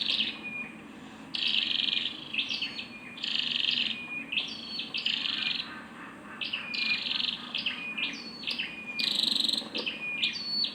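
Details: Female Scarlet-backed flowerpecker uttering a near-continuous series of short, high, slightly buzzy chips and twitters, with one louder rasping note near the end.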